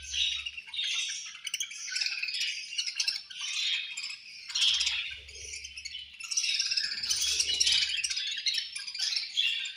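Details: Group of budgerigars chirping angrily at lunch time, an unbroken stream of shrill twitters and scratchy squawks rising and falling in loudness over ten seconds, with soft low knocks at intervals.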